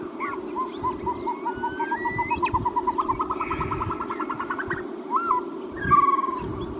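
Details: Caspian snowcock giving a long series of clear whistled notes that speed up and climb in pitch over about five seconds, then a looping whistle and a drawn-out falling whistle, with a constant low rumble behind.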